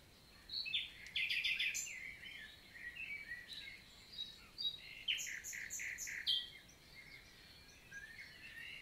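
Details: Common nightingale singing by day on a summer morning, 11 June 2023, in countryside forest of the Célé valley, Lot, southern France; varied phrases with fast repeated notes and rattling bursts, brief pauses between strophes, other birds faint behind.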